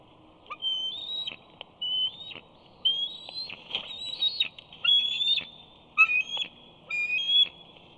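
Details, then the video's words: Juvenile eagle at its Big Bear nest tree, trying to land and take a fish while an adult eats; high, thin, rising whistled squeals repeat roughly once a second in short phrases, with light rustling behind. "Simba squees as he tries to gain entry to the nest."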